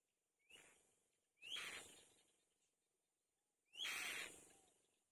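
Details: Lone mourning dove chick in a wild nest, calling while looking for its mother: three breathy, hissing bursts, each opening with a short rising squeak, spaced about one to two seconds apart.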